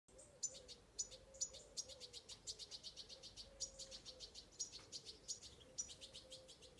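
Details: Young European goldfinch demanding food: faint, very high, thin chirps given in a fast, steady series, several each second, with sharper whistled notes now and then and a low, steady hum underneath.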